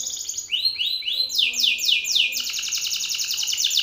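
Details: Belgian canary male singing loudly and aggressively at another male: fast trills of downward-sweeping whistled notes, several per second, shifting from lower to higher rolls, a steady faint hum beneath.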